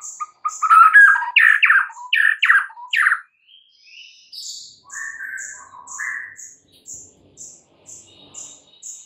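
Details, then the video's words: White-rumped shama singing in the morning with a fast burst of harsh, rattling chatter notes. Softer rising and falling whistles follow, backed by a regular series of high ticking notes. "mUrai MACET jadi NYAUT GACOR di PAGI HARI"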